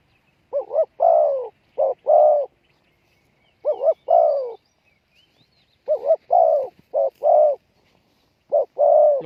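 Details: Captive spotted dove calling as a decoy to lure wild doves: low, mellow cooing phrases of a short double note followed by a longer coo, repeated in bursts with pauses, in quiet rural surroundings.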